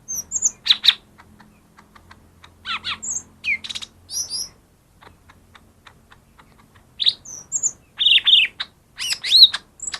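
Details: Lesser green leafbird singing, a recording meant as a lure to make quiet birds start singing: scattered high whistles and buzzy chirps in short bursts, separated by a quieter stretch of soft ticks, with a faint low hum beneath.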